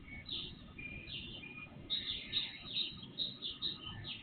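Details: Pre-dawn birdsong picked up by an IP surveillance camera, volume boosted: a couple of thin drawn-out whistles, then bright chirps repeated about twice a second, with constant low-frequency hiss beneath.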